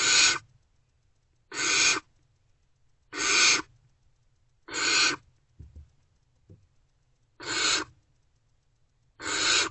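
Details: Unfed great horned owlets in a nest box, reacting to an adult's return before dawn on 3 March 2024: six harsh, broadband hissing screeches, each about half a second, spaced roughly every one and a half seconds, with faint soft taps between.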